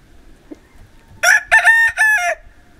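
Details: A Pavlovskaya breed cock crows in Barnaul, Altai, Siberia, on a winter day, November 28, 2015: one cock-a-doodle-doo of three loud, harsh syllables, the last drawn out and falling, against a quiet background.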